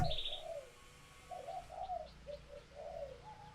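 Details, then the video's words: Spotted dove females in laying condition calling to rouse males; a string of soft, wavering coos runs through hissy background, a brief high chirp from another bird at the start. "Tiếng Chim Cu Gáy Mái Chuẩn Kích Trống"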